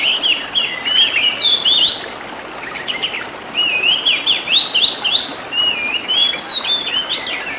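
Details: Caged-bird training song of the Oriental magpie-robin (kacer): rapid rolling warbles and twittering trills in two phrases separated by a short quiet gap, notes following several per second.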